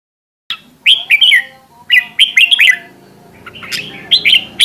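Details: Decoy red-whiskered bulbul singing in an intense, fiery style, used for voice training. Bright whistled phrases with sharp, looping notes, in two clusters of three or four phrases separated by a short pause. Faint low hum beneath.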